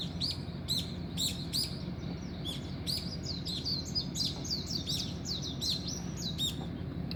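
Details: Early-morning birds give high, clipped tweets in quick bursts that turn into a dense run of overlapping chirps, with a low steady hum underneath.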